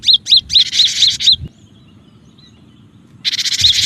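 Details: Cinereous tit sound used as a lure to draw in other birds and prompt quiet tits to sing. Six quick, high, arched whistled notes mixed with harsh rasping chatter, then a pause, then more hissing chatter.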